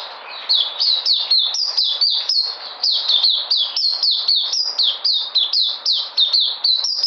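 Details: Puteh, the local name for a white-eye, heard 13 February 2020 as it comes back into energy: rapid high chirps, each dropping in pitch, strung in a lively unbroken run of roughly four notes a second.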